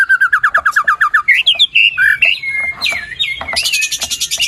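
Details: White-rumped shama song to encourage a quiet bird: a fast even run of about twelve repeated notes, then sliding whistles and a harsh rattling burst at the end.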